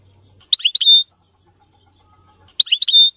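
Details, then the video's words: European goldfinch singing a clean, error-free song: two brief, high chattering phrases, each ending in a sustained pure whistled note, separated by about two seconds of near silence. "تغريد ملك الطيور المغردة الحسون (المقنين) نظيف وخالي من الأخطاء"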